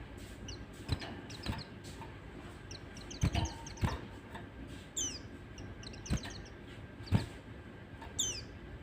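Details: White-eye lure song meant to get untrained young white-eyes singing: thin, high chirps sliding steeply downward, scattered and repeated through the passage in small bursts, over a steady background hiss with occasional soft thumps.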